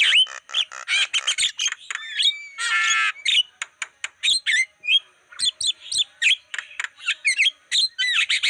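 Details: Javan myna lure song for pulling in wild birds, with fast continuous chatter of clicks, chirps and short whistles and one long harsh grating burst in the middle.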